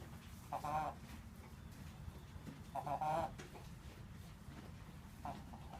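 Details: A 3-year-old free-range Buff Brahma hen, previously healthy and in full plumage, suddenly gives odd, nasal, croupy, bark-like honking coughs, three short bursts about 2.5 s apart over a low rumble; goats and chickens stopped to stare. Chicken.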